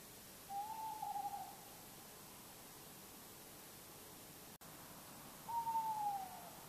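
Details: Tawny owl calling at night on August 10 in Bergen, North Holland, the Netherlands, coming closer from a distance. Two faint, hollow, steady hoots about four seconds apart, each lasting roughly a second, over quiet night background hiss.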